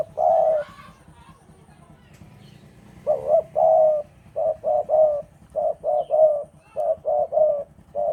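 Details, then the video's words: Javanese spotted dove in strong breeding mood, singing energetically: one low, husky coo, a pause, then a run of short coos in pairs and triplets near one pitch, each group about half a second apart. "Derkuku Jawa Gacor Birahi Keras"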